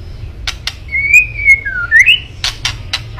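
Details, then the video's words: White-rumped shama kretekan, aimed at provoking a rival: a few crisp clicks frame a smooth, sustained whistle that wavers, dips, then rises sharply, before more clicks close the phrase. "KRETEKAN MURAI BATU MEMANCING EMOSI🔥🔥🔥 LAWAN"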